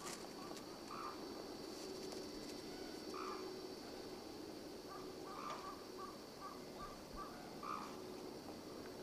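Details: Captive black-necked crane at Akan International Crane Center, Japan, recorded January 8, 2006: a run of short, mid-pitched calls, some doubled, coming in an uneven series over a steady background hiss.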